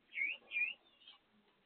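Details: Pet Gouldian finches heard during feeding: a pair of smooth, V-shaped whistles, then a fainter, flatter whistle trailing off against a quiet background.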